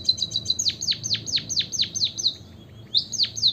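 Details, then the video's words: Song of a white-headed munia: short high buzzy notes, then about eight steep falling whistles in quick succession. After a short gap, three more falling notes close the phrase. "pancingan emprit kaji biar gacor - suara pancingan burung pipit berkicau agar ikut bernyanyi"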